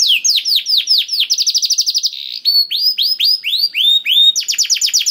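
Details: Singing canary, played to coax a reluctant bird into song, delivers fast descending chips, a rapid rattling trill, then sweeping upward whistles and a closing burst of quick repeated notes with no pause.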